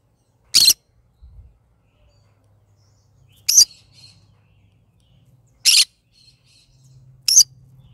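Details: Pet yellow-sided green-cheeked conure singing in the morning: four sharp, rasping squawks spaced two to three seconds apart, with soft faint chatter between them and a low background hum.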